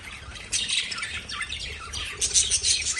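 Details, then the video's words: Several lovebirds chatter in quick, overlapping high-pitched chirps, quieter for the first half second, then a busy run of shrill twittering and short squeaky notes to the end. "Love Birds Sound"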